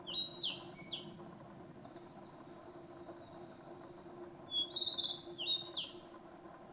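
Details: Narcissus flycatcher singing on Mount Fuji, Japan, on 5 June 2015: high clear whistled phrases and quick sliding notes, repeated throughout, over a steady low background hum.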